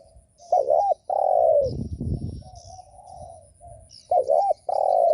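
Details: Spotted dove coo used to excite and provoke other doves: a looped double note followed by a long, descending, throaty coo, the phrase given twice, with soft chirps of other birds in the background.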